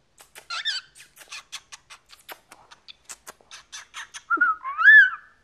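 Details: A chatty 14-year-old male pet cockatiel makes a rapid series of dry ticks and clicks with a brief rough note, then ends with two loud rising whistles, while a person calls to it indoors.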